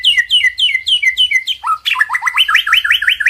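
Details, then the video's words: White-rumped shama song from a master track intended to stir a silent bird. Steady series of falling two-part whistles, then a low swoop and quick rising chirps repeated about five times a second. "Suara Masteran Murai Batu,Ampuh Naikan BIRAHI dan Emosi Murai DIAM jadi NYAUUT!"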